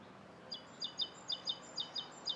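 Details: A rosy starling in Bishopston, Bristol, on the morning of 29 November 2014, gives short, high, clipped chirps, mostly in pairs, roughly every half second over a faint steady background hum.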